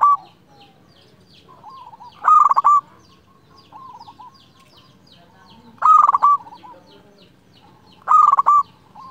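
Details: A clear-voiced local zebra dove calling to draw a rival. Its rhythmic cooing song repeats about every two seconds: loud rattled coo bursts with a sustained tail, alternating with softer lower coos.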